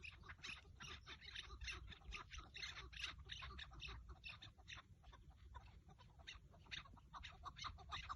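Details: On a 30 March 2024 partridge hunt with a decoy bird, a partridge keeps up continuous rough chattering calls, several notes a second, against steady low background rumble.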